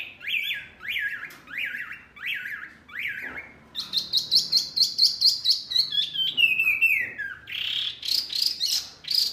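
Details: Noisy small Wambi bird, said to provoke other birds, opening with five evenly spaced rising-then-falling whistled notes, then breaking into a fast, high, rattling chatter of sharp chirps.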